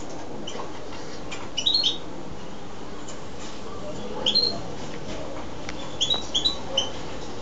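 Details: A wild-caught caged European goldfinch (Carduelis carduelis) gives three short bursts of bright, tinkling twittering calls a couple of seconds apart, over a steady low rumble of background noise.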